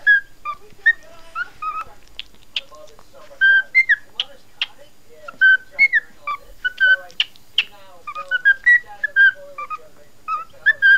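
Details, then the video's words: Pet cockatiel singing to a puppy: a lively run of clear whistled notes, many rising or falling slurs and short chirps, closely spaced and repeated throughout with brief pauses, in a quiet indoor setting. "cockatiel singing to puppy"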